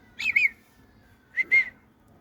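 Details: Hand-tame grey parrot (Psittacus erithacus), apparently a Congo grey, talking: two short, whistly, voice-like phrases about a second apart, each of two quick syllables, in a quiet room, amid Arabic words like "mahboub" and "Allahu akbar".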